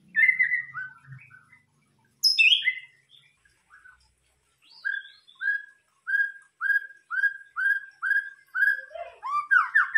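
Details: White-rumped shama (murai batu) lure song (pancingan): opening warbles and a high burst, then a series of about a dozen similar slurred whistles repeated every half second, ending in a rapid tumbling phrase.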